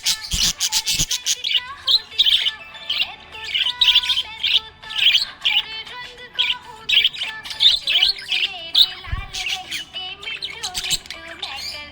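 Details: Happy budgerigar chirping in quick bursts of bright, scratchy, high twitters, with short pauses between clusters, over steady background music with sustained tones.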